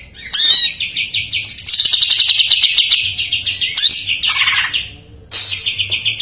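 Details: Greater green leafbird song played as a lure, bursts of fast chattering and buzzy trilled phrases with sweeping whistled notes, separated by brief pauses, a low steady hum underneath.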